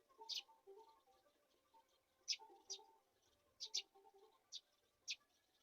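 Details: Chicks of the black-shouldered kite being fed a mouse. Loud, scratchy, high-pitched squeals come singly or in close pairs at uneven gaps. Soft low tonal murmurs sit in the background.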